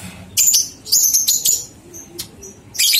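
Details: Lovebird ngekek song for training two-month-old young lovebirds: quick, high, rattling chatter in bursts, separated by brief thin squeaks, then a final burst at the end.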